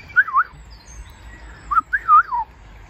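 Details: A Eurasian golden oriole in a forest in Drenthe, Netherlands, gives two rich, fluted whistled phrases, each a liquid looping warble dipping and rising, about one and a half seconds apart.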